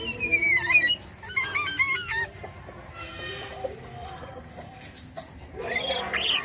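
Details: Jalak kapas starling singing actively (gacor) in the isian style. It gives a varied jumble of whistled slurs, rapid stacked chirps and a sustained high thin tone, with short pauses between phrases.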